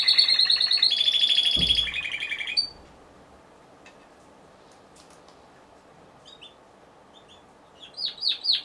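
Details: Single Timbrado Español canary at a 2015 song competition, category C2. Just under three seconds of sharp rolling trill stop abruptly, leaving near silence with faint ticks, before a few sweeping whistled notes near the end.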